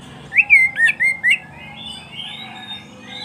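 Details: Oriental magpie-robin singing, a recording meant to train pet birds: four loud whistled slurred notes with clicks in under a second, then a fainter wavering whistled continuation over low background hum.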